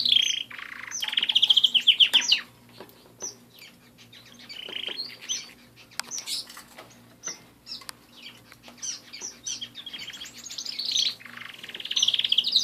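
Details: Pet canaries singing indoors: fast trills and warbling phrases around high pitch, rapid repeated notes near four per second, with pauses and faint clicks between bursts.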